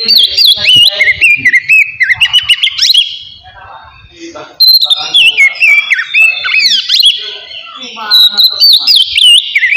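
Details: Relaxed ngeplong song from an Oriental magpie-robin, used to stir emotion and breeding drive: two long bursts of rich, varied whistles, trills and sharp notes separated by a quieter pause in the middle.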